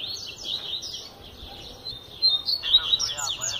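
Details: Double-collared seedeater, said to sing throughout the year, pouring out a rapid stream of high chattering, warbled notes with sharp whistled accents, accompanied late by a lower buzzy, harmonic sound.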